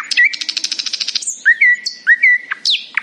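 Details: Cheerful morning song of a nightingale: a fast buzzy trill of repeated high pulses, then three pure, level whistled notes, each slightly rising, finished by sharp descending chirps.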